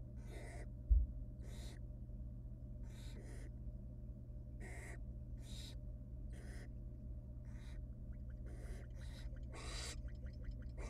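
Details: In a camera-watched nest box, wild barn owl young beg while their mother hands out small rabbit pieces; a dozen rasping hisses come faster toward the end, mixed with rapid soft ticking, above a low hum.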